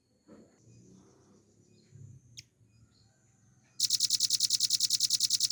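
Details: Velvet-fronted nuthatch master song for training cage birds: faint low background murmur and one sharp high note, then a sudden loud, fast trill of bright, evenly repeated high notes for the final two seconds.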